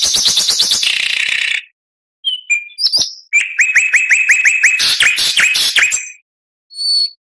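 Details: Oriental magpie-robin song full of mimicked material: a dense buzzy trill in the first second and a half, a pause, scattered high whistles, then a run of rapid repeated downslurred whistled notes and a high closing whistle.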